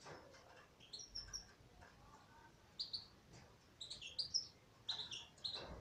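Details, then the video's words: Female European goldfinch singing: bursts of bright, high twittering chirps and short whistled notes, clustered in quick phrases with brief pauses between them, over a faint low hum. "تغريد انثى حسون"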